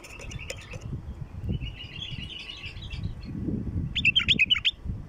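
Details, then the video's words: Bulbul lure calls for drawing wild bulbuls: soft buzzy chattering trills, then a burst of loud, sharply looping whistled notes near the end, with low background noise. "طياريات بلبل خام لفتح البلابل الوحشية"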